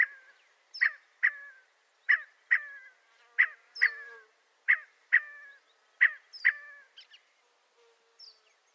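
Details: Scaled quail, also known as blue quail or cottontop, of western North America: a steady run of about ten short, nasal, harmonic call notes, often in pairs roughly half a second apart, then fainter high chips at the end.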